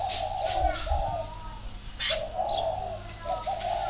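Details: Spotted dove from northern Vietnam near Ba Vi producing soft low coos in two-part runs, with scattered sharp chirps of other birds and a few low thumps.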